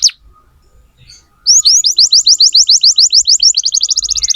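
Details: Atlantic canary singing as a tutor for young canaries: after a brief high note and a pause, a rapid series of bright, repeated rising chirps, about a dozen in a row, ending in a faster trill.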